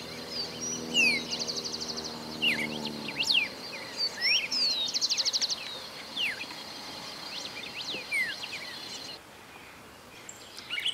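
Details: Red-crested finch (Coryphospingus cucullatus) singing soft, high trills and thin rising-falling chirps over a steady insect-like hiss, with low engine hum at the start; recorded from a car in Santa Fe, Argentina, 2020. The male has a red crest.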